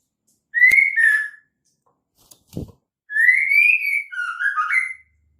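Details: Female white-rumped shama calling to draw males into singing: a short two-note whistle, then a muffled knock, then a longer rising whistled phrase ending in quick falling and rising slurs.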